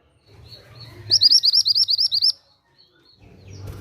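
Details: Mantenan gunung song, meant for luring or training other songbirds: one quick burst of about eleven sharp, high, repeated chirps lasting just over a second, with a faint low hum before and after.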